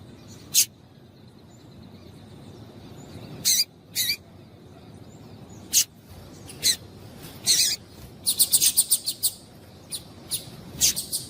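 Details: Female double-collared seedeater calling to stimulate the male: sharp, high, clipped chips spaced irregularly, several seconds apart at first, then a quicker burst of chips near the end over a faint steady hiss.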